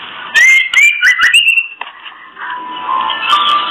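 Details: Female oriental magpie-robin, kretekan call used to provoke breeding readiness in males: three or four rapid upswept whistles with crisp clicks, followed by quieter sustained warbling tones.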